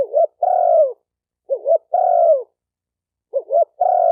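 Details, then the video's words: Three phrases of spotted dove cooing, meant for training newly caught birds. Each phrase is a brief double note, then a drawn-out coo that sags in pitch at its close, against clean silence. "Tiếng chim cu gáy tập bổi chuẩn nhất chim hay"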